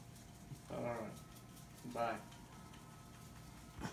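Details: A pet blue-and-yellow macaw mimics human speech as if answering a phone, giving two short, husky, voice-like phrases about a second apart in a quiet indoor room.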